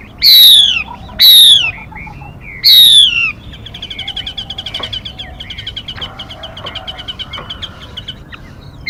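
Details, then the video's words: Female Mi bird recorded as a trapping decoy and for voice training of captive birds: three loud, harsh, falling calls, then a long rapid stream of soft, high, clipped notes. "Tiếng Mi Mái. Tiếng chim kích bổi, kích trống, luyện giọng bổi"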